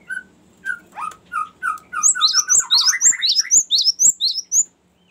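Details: A Cinereous tit gives a long rolling song: clear mid-pitched whistles quicken into a fast run of high, sharp, ringing notes, with no other sounds; used as a lure and master song for other songbirds.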